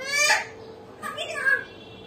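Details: Common hill myna kept as a pet, giving a harsh nasal squawk followed by several short speech-like syllables with wavering pitch, over a constant low background hum.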